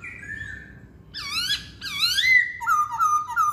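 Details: Chinese hwamei song: a soft whistled slur, then two loud rising, swooping harmonic phrases followed by a long, clear, level whistle with slight wavering at the end.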